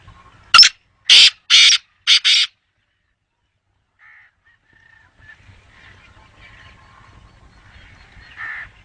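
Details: A black francolin gives five rasping, harsh notes in a rapid phrase, the final pair closely joined. Then a long quiet stretch follows, with faint distant calls and low rumble.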